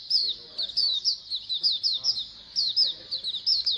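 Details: White-eye (pleci) colony chorus for prompting birds to sing: rapid high chirps in quick succession, several birds overlapping, with a faint low murmur underneath.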